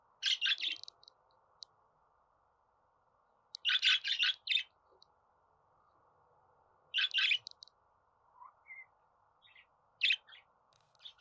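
Budgerigar giving short bursts of scratchy, chirping warble every two to three seconds, with a soft steady hum underneath.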